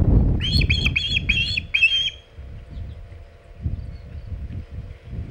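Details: Osprey with a large shad at the Hog Island nest, 27 August 2019, mid-afternoon: five quick, shrill whistled chirps in the first two seconds, followed by quiet low rustling.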